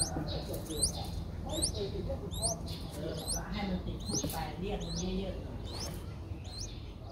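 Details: Streak-eared Bulbul young, five days old, Thailand's Ubon Ratchathani, April 7, 2023: high, hooked upslurred squeaks come in uneven series, accompanied by soft clicks and a low steady hum.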